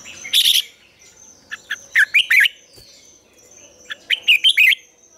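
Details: Morning song of a Red-whiskered bulbul, recorded as a lure for training other bulbuls to sing the mature wild double-note style. A high squeaky note comes first, then two rapid phrases of bright, rolling chirps. A steady faint whistle hangs behind.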